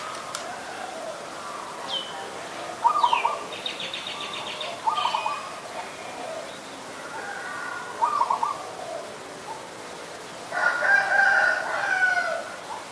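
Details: Adult zebra dove, Geopelia striata, in Ubon Ratchathani, Thailand, recorded 28 December 2020: several bursts of rapid, stuttering, trilled coos around the middle pitch range, with a few thin higher chirps and a faint background hiss between them.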